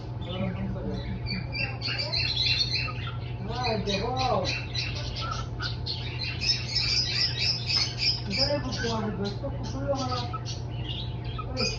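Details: Tame pet cockatiel giving dense, harsh, scratchy squawks and chirps in rapid irregular bursts, with a person talking in the background around the middle and again later, and a steady low hum throughout.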